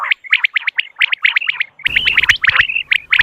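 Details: Common quail morning call, used to attract birds for hunting: evenly spaced pairs and triplets of sharp high notes, later joined by a low hum and denser overlapping chirps.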